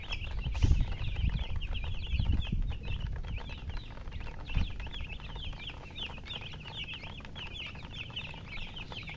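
Many chicks peeping together, a dense stream of high, thin, rising cheeps, roughly four per second, over low rumbling handling noise.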